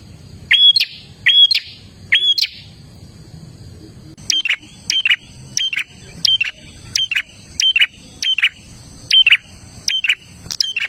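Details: Olive-backed tailorbird in the lively gacor dor style, played to get caged birds singing: sharp, loud notes with a whistled kink, repeated rapidly in an even run of about a dozen bursts, with a brief pause after the first three.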